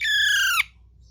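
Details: Young parrot learning to talk gives a single clear, level whistled note, about half a second long, ending in a quick downward slur, over a faint low hum.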